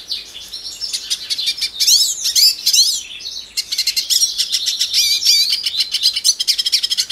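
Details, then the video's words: Brazilian hooded siskin (pintassilgo cabeça preta) sings a fast, continuous twittering song of high, thin chirps and buzzy trills, with rising and falling notes run rapidly together. "The Song of the Pintassilgo Cabeça Preta"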